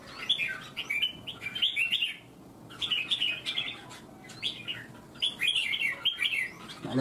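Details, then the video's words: Red-whiskered bulbul singing in a Vietnamese bird-singing contest. It gives bright, bubbly warbled phrases of about one second each in four separated bursts with short pauses between, over a soft background hum. "Chào mào CAFE cứng , chiến binh ché đấu hót xòe"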